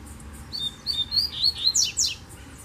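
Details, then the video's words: Double-collared seedeater, wild, heard singing from afar in bamboo: a string of high, piping whistles rising slightly in pace, finished by two loud, descending buzzy slurs. "Coleiro Mateiro Cantando no Bambuzal de Longe!!!"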